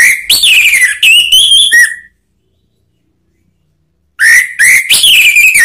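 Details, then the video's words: Male orange-headed thrush in ngeplong song, meant to prompt a reply from other birds: two bursts of rich whistled notes, rising and falling slurs run together, separated by about two seconds of silence. "ANIS MERAH SPONTAN EMOSI NYAUT BUNYI NGEPLONG"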